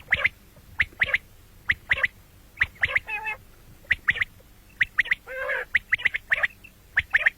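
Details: Common quail, morning and night calling: brisk three-note bursts of short, sharp high notes repeated about once a second, broken by two lower, rasping nasal squawks.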